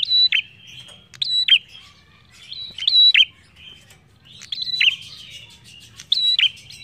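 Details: Lively prinia (prenjak) song played to prompt other birds to sing: five loud high whistled phrases with sharp falling flicks, spaced about 1.3 to 1.6 seconds apart, with quieter chirps in between.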